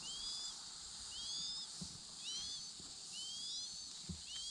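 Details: Chinese hwamei (Garrulax canorus) from a pair raising four chicks gives thin, high, rising whistles roughly once a second, some doubled, over a steady background hiss with a few soft low thumps.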